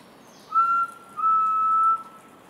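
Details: Rufous-throated partridge (Arborophila rufogularis) calling, a call said to end in crescendoing notes: two clear, pure whistles at one steady pitch, the second longer and louder, over faint background hiss.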